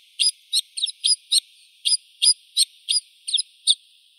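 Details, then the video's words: White-winged snowfinch uttering about a dozen separate high, clipped chirps, roughly three per second with a short pause midway, against a clean quiet background. "Голоса птиц. Воробей снежный (Montifringilla nivalis)"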